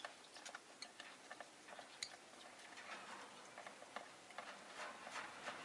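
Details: Soft irregular ticks and clicks scattered over a steady indoor hiss, with no calls from any animal.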